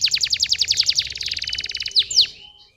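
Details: Canary singing as a stimulus for lazy young canaries: a fast, steady series of high sharp downslurred notes running into a dense roll, ending with two loud swooping notes.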